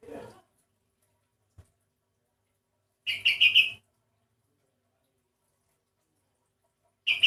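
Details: Unusual-sounding sooty-headed bulbul whose voice differs from typical birds: a faint low sound, then a fast chattering burst of five or six high notes, and after a pause a similar burst begins at the end.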